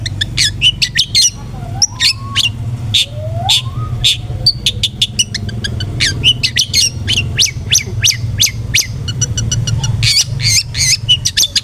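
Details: Long-tailed shrike (cendet) lure to provoke an aggressive song: a busy stream of sharp high chips and squeaks with two lower slurred whistles, over a steady low droning hum.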